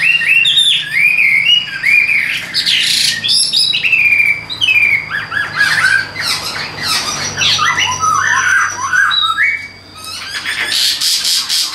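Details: {'caption': 'Tame caged Chinese hwamei, calm enough to sing while carried by hand, a tail-fanning fighting bird with an even voice. Loud, rich, varied song of clear whistled and slurred phrases rising and falling, delivered continuously with short breaks.'}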